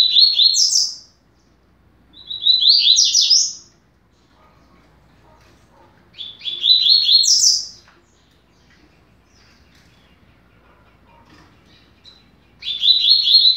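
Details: Coleiro, the double-collared seedeater, giving a 'rápido de bico' teaching song for young birds: four quick chattering phrases, each rising to a high buzzy flourish, separated by pauses of about two to three seconds.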